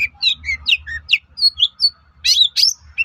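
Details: Long-tailed shrike song used to provoke other shrikes into answering: a quick varied medley of whistled and chirped notes, some rising and falling, ending in two loud harsh bursts and a short whistle.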